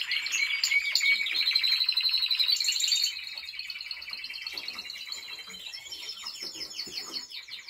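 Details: Song of a Timbrado Español canary under training in 2023: loud, buzzy rolled trills for three seconds, then softer rapid pulsed phrases and clicking rolls that continue steadily to the end.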